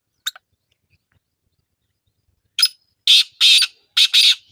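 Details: Kala teetar, the black francolin, gives a lone sharp note, a pause, then a harsh rasping phrase of four grating syllables, the middle ones longest, with nothing else audible.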